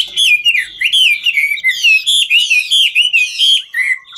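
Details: Chinese hwamei, 'ngũ trường' style, singing while dancing: a short burst of pure, looping whistles, each note swooping upward then down, repeated several times a second.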